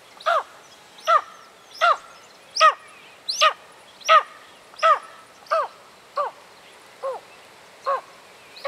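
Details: A tawny eagle in Kruger National Park, South Africa, gives a series of about a dozen harsh, barking notes, each sharply down-slurred, repeated a little faster than once a second against a quiet background.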